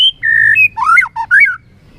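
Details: White-rumped shama during competitive singing with tail flicking: a held clear whistle followed by looping, rising and falling whistled notes in a brief phrase.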